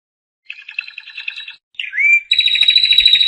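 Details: Canary song used for training young canaries: buzzy trilled phrases around mid-high pitch, a short rising whistle, then a fast bright rolling trill with a thin high tone above.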